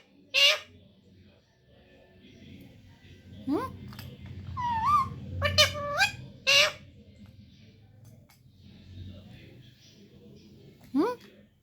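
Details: Baby parrot vocalising indoors: sharp squawks at the start, middle and end, separated by upward-sliding whistles and a stretch of warbled, speech-like notes, over a faint low hum.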